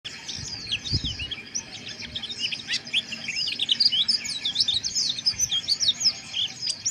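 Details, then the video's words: White-eye chirping harshly, played as therapy to raise breeding arousal: dense overlapping high thin chirps and twittering trills, continuous throughout, with one low thump near the start. "Suara Pleci Ngeriwik Kasar 🔥 Terapi Pleci Ini Sangat Ampuh Bikin Menaikan Birahi"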